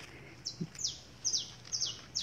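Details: Saffron finch (canário-da-terra) singing from a tree outdoors, where the birds also feed on the ground: high, bright chirps that slur downward, about six in two seconds at an uneven pace, with a faint low sound near the start.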